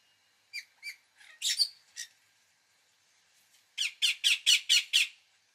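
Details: Two clipped calls from an Indian ringneck parakeet lead into a rough double squawk. After a short silence comes a steady run of six loud, harsh screeches, about four per second.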